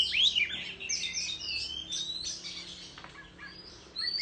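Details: Rural Oriental magpie-robin during competitive singing and tail-fanning: a high whistled flourish at the start, then softer overlapping warbles and a brief loud note at the end.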